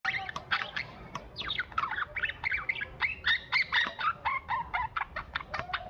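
Budgerigars chatter in a fast, scratchy run of squawks and warbled chirps, about two notes a second, with little pause between them.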